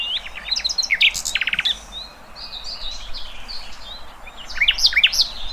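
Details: Wild birdsong: quick high chirps and a short rapid trill, a calmer stretch of faint twittering, then a lively cluster of sharp, rising chirps near the end.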